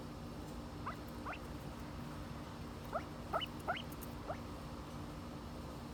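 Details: Silver pheasant kept in America giving a loose series of quick upward-sweeping chirps, some doubled, spaced unevenly about half a second apart, against a constant low electrical-sounding hum.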